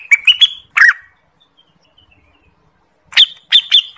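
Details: Orange-spotted bulbul (Pycnonotus bimaculatus), known locally as cucak wilis or rengganis, song used as a trapping lure and master song for training birds: short bright whistled notes in two bursts separated by about two seconds of silence.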